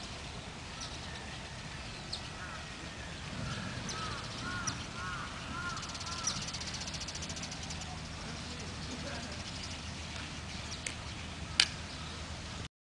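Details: Male carrion crows disputing a territory boundary while raising young give a short run of hoarse, arched caws in the middle of the clip, over steady low traffic rumble and background hiss.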